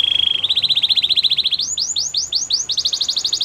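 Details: Belgian canary song opening with a very fast, even rattle of clipped notes, then a slower run of arched whistled phrases repeated at a steady pace.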